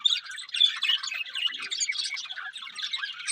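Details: Budgerigars chirping together: a dense, continuous chatter of quick scratchy chirps, warbles and short squawks, busy and unbroken throughout, with no other sounds clearly standing out.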